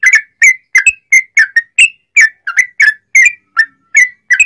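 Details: Lively sooty-headed bulbul song used to set other bulbuls singing, a steady string of bubbly two-part whistles, roughly three each second, alternating slurred and rising notes.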